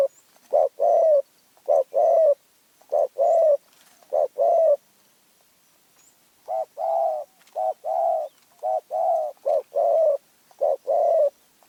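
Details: Spotted dove from Phrae, Thailand, called small-voiced and fierce. It gives a long run of rhythmic cooing couplets, a brief note then a fuller drawn one, repeating almost every second with one longer pause.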